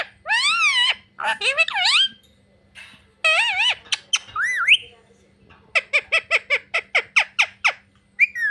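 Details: A parrot that speaks "mummy papa" gives wavering, word-like phrases, then a rapid even series of about a dozen short clipped notes, with a faint hum in the room.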